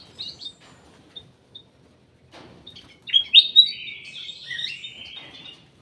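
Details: Caged ruby-throated bulbul in a private aviary: a few soft isolated chirps, then a louder burst of sharp rising whistles running into a warbled, slightly falling phrase.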